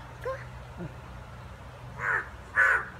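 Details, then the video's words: Crows in a fight: a soft, faint caw opens, then after a pause two loud, harsh caws follow half a second apart near the end, over low steady background noise. "Crow Fight"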